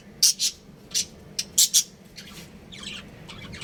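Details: Budgies from a breeding pair at home give sharp, very high chirps in quick doubled bursts, followed by softer warbling chatter over a faint background hum.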